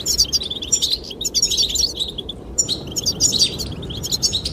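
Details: Goldfinch chirping for a female's attention, accompanied by wind: lively bursts of thin, high twitters and buzzy trills repeating roughly every second, with a short break midway and steady breeze below.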